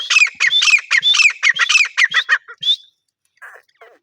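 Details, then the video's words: Grey francolin giving a loud, harsh, rapidly repeated series of ringing squawk syllables with rising inflections, about three per second, ending in a few quieter rasping notes. "Teetar ki awaz"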